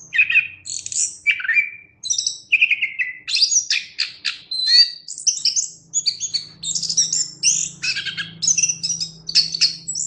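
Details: Chestnut-capped thrush in full, vigorous song, used as a tutor recording for cage birds: a continuous rush of varied whistled and buzzy phrases, some slurred downward, others quick chattering bursts, with hardly a pause. A faint low hum underneath.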